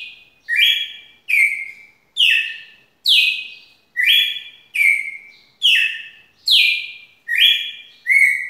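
A red-cowled cardinal sings a long series of bright, slurred whistled phrases, each dropping in pitch, repeated about once a second with no other sounds.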